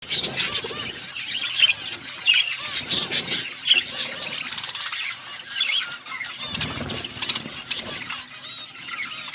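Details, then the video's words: Budgerigars chirping while eating food, a dense overlapping chatter of high squeaky chirps and warbles from several birds, with soft rustling noises. "Budgies chirping sounds and eating food"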